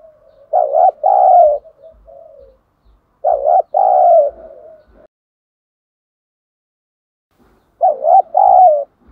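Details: Decoy spotted dove urging wild doves to come and fight. Three mellow coo phrases, each a quick note followed by a longer falling one, the first two close together and the third after a pause, with faint tapping.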